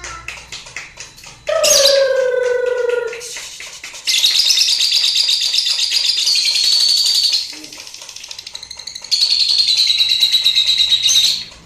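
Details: Three-month-old fighter lovebird in the ngekek style with head-shaking, rare for the bird: long bursts of harsh, buzzy, rapid chatter lasting several seconds, broken by brief quieter gaps and a few lower harmonic squawks.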